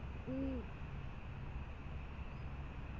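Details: Great horned owl at the Presidio in January giving a soft hoot after bringing prey: a single low, brief, slightly arched hoot over steady background hum.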